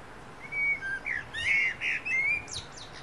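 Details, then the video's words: Wild niltava singing at first light of dawn in forest wilderness: a run of about five clear whistled notes, some flat and some slurred, spaced roughly every third of a second, with faint higher chirps near the end. "Wild Niltava Serenade: Nature's Morning Symphony"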